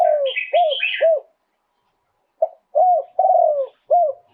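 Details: Spotted dove, Thailand, live 'throw two kuk' song: mellow hooked coos repeated twice after a pause, while a higher, scratchy bird call overlaps the first phrase.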